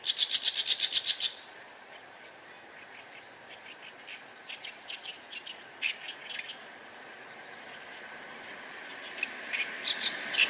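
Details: Reed warbler near the observer, about 8 m distant: opens with a loud, fast rattling burst of harsh notes, then quieter scattered creaky chirps, rising again to a grating flourish at the end.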